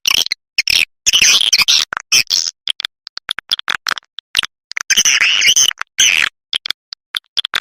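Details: Calling sound for attracting swiftlets, the 'SP Mama Mudah' lure: rapid ticking clicks alternating with longer rasping, chattering twitters, two dense bursts of shrill buzzy notes standing out amid the clicks.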